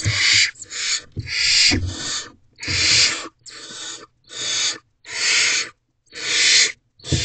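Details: At a barn owl nest box at night, around 3:40 am on 29 April 2023, the male delivers food to the owlets. Rasping, breathy hisses come in bursts of about half a second, repeated roughly once a second, with soft knocks.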